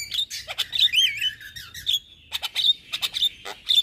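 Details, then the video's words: Asian pied starling in intense song provoking neighbouring starlings: clear whistled notes and warbling trills held high, followed by short sharp squawks repeated at intervals. "Burung Jalak Kebo Gacor Parah Bikin Emosi Jalak Tetangga"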